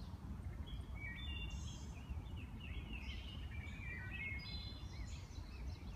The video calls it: Wood thrush song